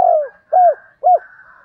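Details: Fragment of a spotted dove call used to lure wild birds: the tail of a long falling coo, then two rounded, arched coos about half a second apart over a faint continuous tone.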